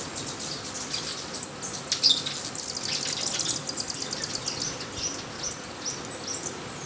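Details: White-necked jacobin hummingbird at the Buenaventura Reserve, Ecuador, giving very high, thin, sharp chips at irregular intervals of about a second, over a steady background hiss of insects.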